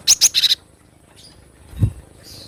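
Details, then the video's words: Cinereous tit, a wild-recorded bird used to train cage birds, giving a quick burst of about four sharp, high chirping notes in under a second, followed by quiet and a single low thump. "Masteran glatik batu dengan suara asli alam liar"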